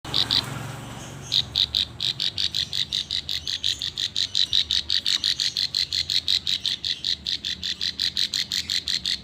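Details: Klik-klik bird, hand-raised from a hand-fed chick, singing actively: after a short opening burst, a long run of sharp, high clicking notes repeated almost three times a second, steady and insistent to the end.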